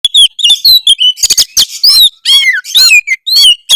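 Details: Oriental magpie-robin giving a harsh song meant to provoke rivals: loud, rapid run of sweet whistled slurs mixed with scratchy, buzzy rasping notes, phrases tumbling one after another without pause.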